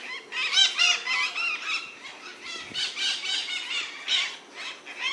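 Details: White-eyed parakeets in Brazil: a noisy chorus of harsh, grating screeches and squeals from several birds, overlapping rapidly, about four per second.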